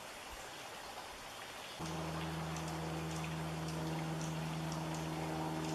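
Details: Steady rain-like patter and hiss, joined after about two seconds by a constant low mechanical hum, with no animal calls.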